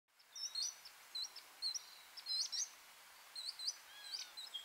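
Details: Varied sittella filmed in the Capertee Valley, Australia, during nesting from eggs to fledglings: thin, high chirps and short upslurred notes repeated irregularly, some overlapping from several birds, over faint background hiss.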